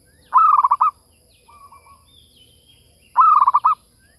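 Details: Zebra dove lure call: two bursts of rapid staccato cooing notes, about seven per burst, spaced roughly three seconds apart, with a softer, shorter cooing phrase between them. The background is quiet.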